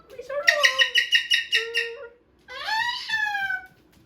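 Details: Captive Moluccan cockatoo at home with a new box to chew. A fast run of about eight grating, pulsed shrieks is followed by a short low note, a pause, then one long rising and falling scream.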